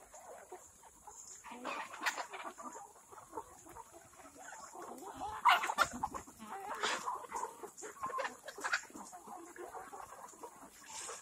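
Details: On a Cuttack, Odisha farm, a flock of black Kadaknath chickens clucks steadily in quick, irregular bursts. The calls overlap, with a few louder sharp notes partway through.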